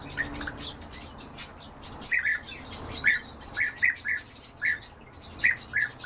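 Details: European bee-eaters at feeding time, uttering spaced rolling calls about once every half second, set against a dense chatter of high ticking sounds and background hiss.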